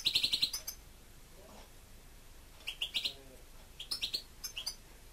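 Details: European goldfinch pet giving quick series of bright repeated chirps, about five in a fast row at the start, then further clusters of twittering notes.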